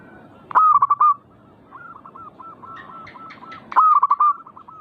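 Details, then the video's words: Zebra dove singing to provoke another bird into song: a loud staccato cooing phrase, then a string of softer rolling coos and some clicks, before a second strong stuttered phrase. "Pancing Emosi burung perkutut bikin cepat Gacor rajin bunyi manggung"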